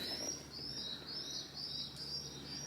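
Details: Feral pigeons inside Chepstow Castle, a stone castle, give thin, high squeaking chirps that sound like guinea pigs, over a faint low hum.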